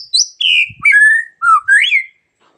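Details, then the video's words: Magpie-robin heard in the morning, its song starting other birds singing; a short sequence of clear varied whistles, high then falling, followed by a low note and a bright upslurred phrase. "suara burung murai di pagi hari bikin burung lain ikut bunyi"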